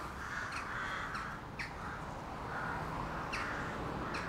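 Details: Adult rooks returning to a town colony at Zutphen, Netherlands, after foraging all day in the surrounding countryside, one sitting on a nest; a busy chorus of harsh overlapping caws from several birds, no steady rhythm, over constant low rumble.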